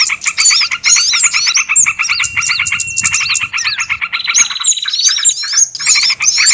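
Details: Lure recording used by Indonesian bird catchers to attract small birds: dense, overlapping high chirps and wavering twitters over a steady pulsed buzzy trill, a long flat whistle near three seconds and a fine rapid rattle after four seconds.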